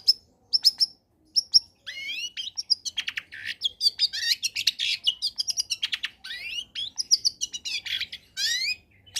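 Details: Combination song of a long-tailed shrike, played to stir lazy shrikes into song: a few clear high whistles, then a continuous, rapid jumble of rising and falling whistled and chattering notes, highly varied and almost unbroken.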